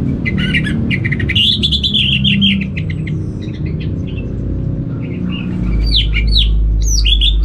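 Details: Kept orange-headed thrush from Singaraja, northern Bali, in full song: rapid stuttering chirps and warbles, a quieter middle stretch, then loud upswept whistled notes near the end, with constant low rumbling background noise.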